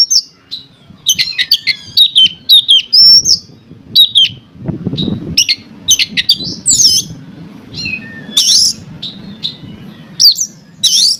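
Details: Oriental magpie-robin song, used to provoke other magpie-robins into singing: a rapid run of high whistled notes and slurs mixed with short harsh, scratchy bursts, delivered in dense clusters with brief pauses.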